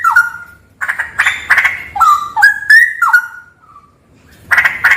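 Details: Straw-headed bulbul, recorded in a haunted cave: rich, liquid whistled phrases of stepped notes sliding down and up, broken by short loud chattering bursts, with a brief quiet gap before a final burst.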